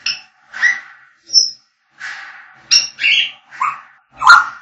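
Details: African grey parrots singing and whistling: a busy run of varied whistled notes, short pure high whistles mixed with rougher chattering calls and a squawk, about nine sounds in under five seconds.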